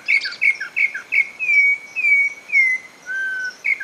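Campo troupial song: four quick clear two-note whistles, then longer slurred whistled phrases and a lower, steady note, with no other sounds.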